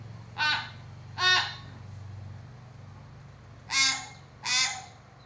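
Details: Common hill myna giving four loud, harsh, raspy squawks in two pairs, spaced by about a second and then a longer gap, over a steady low electrical hum.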